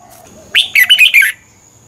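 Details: Red-whiskered bulbul song played to train or excite caged birds in Thailand: a short burst of four or five bright, warbled notes, rising and falling, over a faint steady high hiss.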